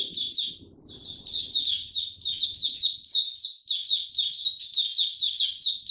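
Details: Young caged white-eye with its maturing song, recorded 9 February 2022: a fast run of high, sweet chirping notes, each a short downward slur, about two per second in a steady stream, with faint low room noise at the start.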